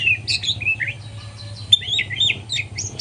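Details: Juvenile white-rumped shama learning its song in the morning, giving quick high-pitched chirps and short whistled slurs in rapid succession, one sharp click near the middle, over a faint low hum.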